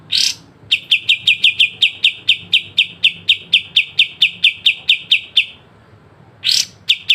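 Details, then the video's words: Pied triller, known as kapas tembak, giving its sharp 'besetan' song for training songbirds: a harsh opening burst, then a long steady train of clipped high notes near five per second, a pause, and another harsh burst starting again. "Masteran full kapas tembak dengan besetan tajam"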